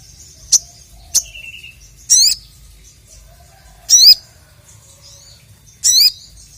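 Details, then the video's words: Crested jay challenging a rival with a few short high chips, then three loud, harsh, squawking calls with wavering, twisting notes, spaced roughly two seconds apart in an otherwise quiet setting. "BURUNG SOGON GACOR MEMANGGIL LAWAN, 100% LANGSUNG EMOSI"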